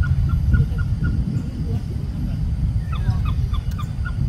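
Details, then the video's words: Oriental pied hornbill in Singapore giving a run of short, clucking, cackling notes, loosely repeated then quickening into a chattering burst, over heavy low rumble. "Oriental Pied Hornbill .... Calls"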